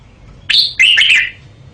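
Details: A single Red-whiskered bulbul phrase: a clear upward note followed by a fuller, warbled, slightly buzzy descending flourish lasting under a second; otherwise quiet.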